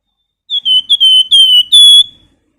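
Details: Singing Flamboyan bird in active form, whistling, recorded as master material for training birds: a single phrase of high, pure whistles, a brief upslurred note, then steady held tones and a ringing final note. No other sounds.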